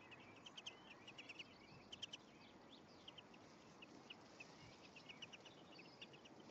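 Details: Greenfinch pair, male and female, at the nest in May; scattered soft high chirps and a few brief twittering clusters, fairly quiet against continuous background hiss.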